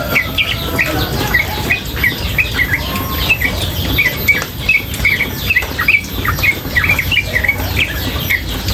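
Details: Long run of quick, bright high chirps from a female sooty-headed bulbul, repeated almost without pause in an uneven rhythm, accompanied by steady splashing, pattering water.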